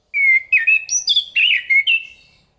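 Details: Thrush singing a short phrase of clear whistled notes, a steady tone followed by rising and falling slurred whistles and warbles, in a quiet setting.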